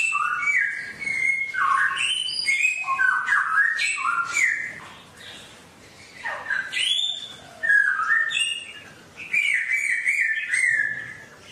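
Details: Songbird singing a varied forest-style song used to train caged birds daily: rapid sequences of whistled notes stepping up and down in pitch, busy phrases, then a quieter gap and renewed bursts of chirps.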